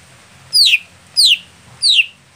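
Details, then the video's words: Greater green leafbird kept as a contest songbird, said to be slow to warm up in competition; three loud, clear whistled notes, each sliding steeply downward, spaced about 0.7 seconds apart, over a faint low hum. "Cucak Hijau"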